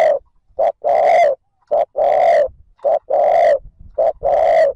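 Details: Spotted dove luring call meant to stir wild birds into answering: a steady run of paired notes, each a short clipped note followed by a longer, rich, resonant coo, repeated about once a second.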